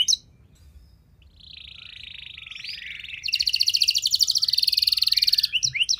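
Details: Canary song played so other canaries respond and sing. A soft, low buzzy warble builds into a loud, fast, even trill for about two seconds, ending with brief sweeping whistles.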